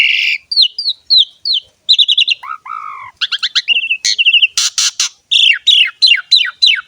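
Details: Asian pied starling singing actively with rich varied fill-in phrases: repeated downslurred whistles, quick trilled bursts, a couple of low curved notes, and loud harsh bursts, then a series of falling whistles.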